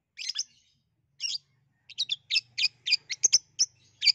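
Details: Lively long-tailed shrike song, played to coax a quiet shrike into singing: sharp chirps and scratchy phrases coming in quick groups, with a faint low hum in the background.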